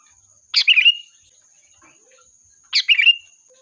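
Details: Sooty-headed bulbul, lively calling used as a lure to call in the flock: two short bubbly, chattering phrases about two seconds apart, each ending in a brief clear note, over a faint steady high whine.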